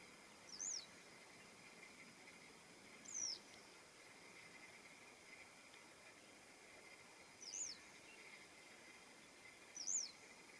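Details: Western yellow wagtail (Motacilla flava) heard on a morning in June, recorded 21.06.2026: four thin, high, slurred call notes a few seconds apart, faint over a steady insect hum.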